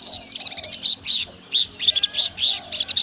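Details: Young sogon, a songbird still learning the ngobra style, singing busily: rapid high chirps and short trilled bursts in quick succession, with faint low background hum.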